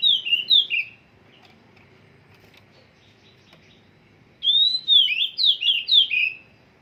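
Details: Oriental magpie-robin in song training: a short burst of clear sliding whistles, a long near-silent pause, then a longer run of rapid whistled notes swooping up and down.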